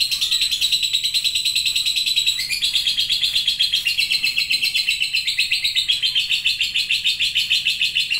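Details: Lovebird ticking and then chattering at length ('ngetik' then 'ngekek panjang'): rapid grating high-pitched chatter that shifts slightly lower after two seconds, then carries on as a steady, pulsing, unbroken stream to the end.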